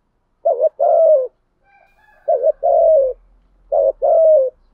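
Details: Spotted dove kept as a decoy, calling to provoke wild doves into answering. Three mellow coo phrases, each a quick wobbling note and then a drawn-out descending coo. Faint thin tones sound between the phrases.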